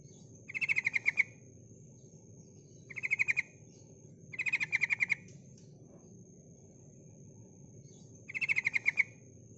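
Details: Sooty-headed bulbul, a female calling to attract males, gives four bursts of fast rattling chatter spaced every two to three seconds, each burst well under a second, over low hum and a thin steady high tone.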